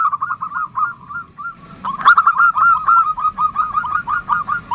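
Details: Female zebra dove calling the male in the nutut style, a fast chain of short curled notes repeated several times per second, pausing briefly and resuming louder after a sharp click, with low rumbling noise behind.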